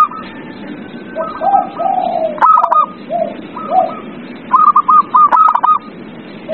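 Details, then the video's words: Lure recording of a zebra dove singing to coax quiet birds: low mellow coos mixed with brisk series of clipped cooing notes, the loudest run coming near the end. "Pancingan perkutut paling ampuh | perkutut males bunyi"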